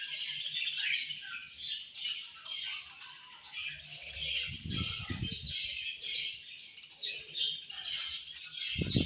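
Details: Harsh angry chirping of budgerigars during eating, rhythmic high buzzy bursts about twice a second, with low knocks and rustles from feeding midway and at the end.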